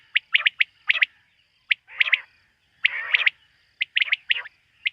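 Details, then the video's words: Quail heard at night in a hunting setting, giving clipped whistled notes in tight groups of two or three, mixed with rougher, raspy calls. A thin constant tone sits in the background. "Bater ki rat wali awaz ۔۔quail sound of night"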